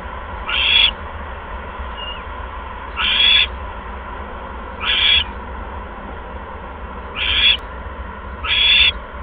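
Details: Owl at its nest, 16 February 2015, 8:38 PM, with a second mouse brought in; five grating, breathy screech bursts spaced roughly two seconds apart, each about a third of a second, over low hum.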